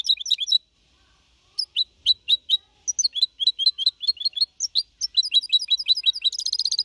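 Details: Young goldfinch mule, four and a half months, Malaga copy style singing in 2021 to motivate other birds; twittered opening, a pause, then spaced sharp notes accelerating into rapid chatter ending in a buzzy high trill.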